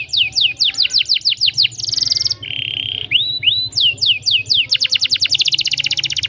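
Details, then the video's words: Canary delivering a long rolled song: quick series of descending high notes, a buzzy sustained roll, a lower steady tone with two rising whistles, then fast repeated sweeps ending in a dense trill; low hum beneath. "KENARI GACOR PANJANG, rol rapat cuit cuit"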